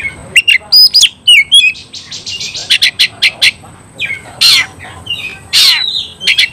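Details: Fighting song of an oriental magpie-robin, played to stir other magpie-robins into singing and fighting: short whistled phrases give way to a series of loud, harsh rasping bursts with occasional clear upslurred notes.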